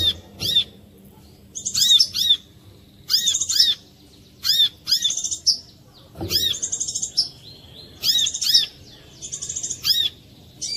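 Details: Lure song of a brown-throated sunbird for stirring other sunbirds to sing: paired thin, arching chirps and short buzzing trills repeated in bursts almost every second. The background is quiet apart from one soft thump.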